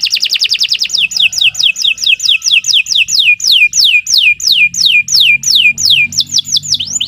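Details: Canary song used for tutoring captive birds: a fast trill leading into slower repeated down-slurred whistled notes, about one and a half per second, with faint low background hum.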